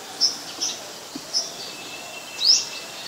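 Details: Olive-backed sunbird in mangrove forest: a few soft, high, short tsip notes followed by one louder rising chirp, over low hiss.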